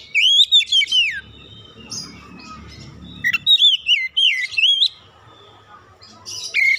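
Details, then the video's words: Oriental magpie-robin song intended to spur other magpie-robins into singing. Looping, warbled whistles in two loud bursts, with low rumbling noise between them and a last whistled note at the end. "PANCINGAN KACER BUKA PARUH GACOR NGEPLONG BONGKAR ISIAN"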